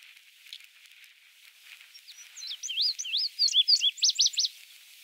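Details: Male indigo bunting singing at Goose Lake Prairie, Illinois, on 29 May 2016: after a quiet start, a bright series of paired, sweeping high notes, some upslurred, some downslurred, ending in a quick run of sharp repeated notes.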